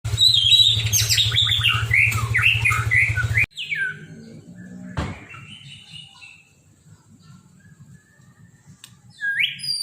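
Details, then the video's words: Caged white-rumped shama, a trophy-winning competition bird singing kilo style with strange mimicked filler phrases: a loud rush of varied high whistles and twisting slurs for about three seconds, then faint scattered notes over a low electrical hum. "MURAI BATU KILO | Isian Suara Aneh"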